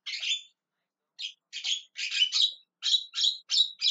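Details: Javan myna calling: one harsh squawk, a brief silence, then a quickening string of grating, chattering calls.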